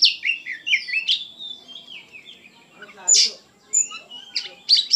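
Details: Oriental magpie-robin delivering a lively, emotional song: quick sweeping whistles at first, then scattered harsh chirps with quieter gaps between them.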